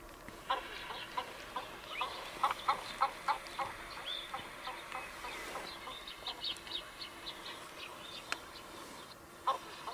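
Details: A Tibetan eared pheasant at Shergyla Pass, Tibet, China, in 2022 gives short, irregular clucking notes, about one or two a second, over faint high twittering from small birds.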